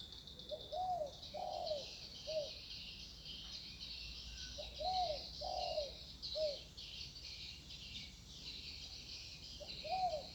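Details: Spotted dove calling in a calm natural setting, repeating short groups of three mellow coos with pauses between phrases, accompanied by constant high-pitched insect drone in the background.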